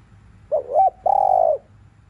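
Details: Spotted dove in the afternoon giving its stimulating coo: a looping two-part note, short gap, then a long steady coo tapering downward, with low background hum.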